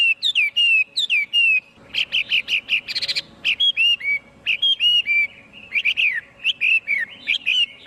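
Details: Loud Chinese hwamei song without background sound: looping whistled phrases, then a burst of harsh, rattling, buzzy notes, followed by more sweet slurred whistles at a lively pace.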